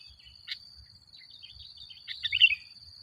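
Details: Sooty-headed bulbul, recording used as a lure for other bulbuls: one sharp click, soft chirps, then a loud bubbly warbled phrase at the close, with a steady high-pitched whine behind.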